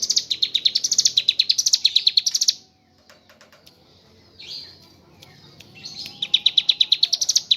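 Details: Mountain leaf warbler delivering long 'ngebren' song with kapas tembak imitations: quick, high, tinkling notes in rising bursts, then a silence of about three seconds with faint scattered sounds, before the rapid chatter starts again.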